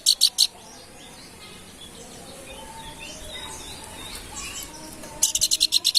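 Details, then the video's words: Babbler (planduk bukit) singing: three quick, sharp chirps open the recording, then a long stretch of faint background twitters and hiss, and finally a fresh run of about eight rapid, bright notes. "kicau planduk bukit gacor"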